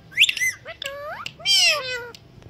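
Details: Talking Indian green ringneck parakeet that imitates a cat meow and whistles: a strident high squawk, then rising nasal whines and a long bending meow-like wail rich in harmonics, over a faint low background hum.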